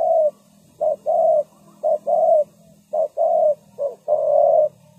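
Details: Decoy spotted dove for trapping, calling with deep soft coos. A clipped note precedes a drawn-out croo in each of four evenly spaced phrases, backed by a faint steady hum.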